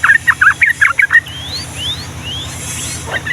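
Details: Energetic 'gacor' yellow-vented bulbul in Ngombak Banyu style long ropel song: a burst of six quick, gurgling chattered notes in just over a second, then thin rising whistles from other birds and a faint hum.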